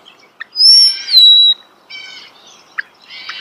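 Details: A starling singing close up outdoors: a long clear whistle gliding down, followed by softer buzzy, harmonic notes and a few clicks.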